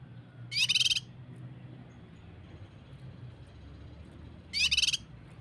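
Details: High, dense buzzy rattles from a Common Iora (cucak kinoi) in a 'tembakan rapat' training recording used to lure birds to sing. Two brief bursts about four seconds apart, with quiet low hum between them.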